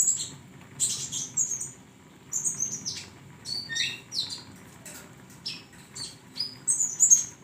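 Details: For training cage songbirds, a flowerpecker delivers irregular bursts of very high, tinkling chirps and short buzzy slurs, with a few longer thin chattering phrases and quiet gaps between groups.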